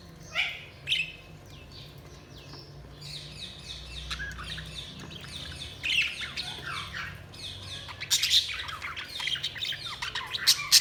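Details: Several budgerigars chirping in busy, uneven chatter: scratchy warbled phrases and sharp squawks build to a denser, louder flurry of chirps toward the end, over a low background hum.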